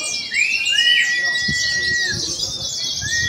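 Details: An Oriental white-eye at a bird-song contest gives clear, high whistles: a quick rising sweep, a long steady note, then a brief phrase, with background hiss and faint voices.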